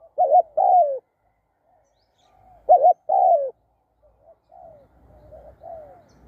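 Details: ['Spotted dove gives two loud two-part coos, a short quavering note then a long falling coo. Softer, more distant cooing follows along with low rumbling noise.']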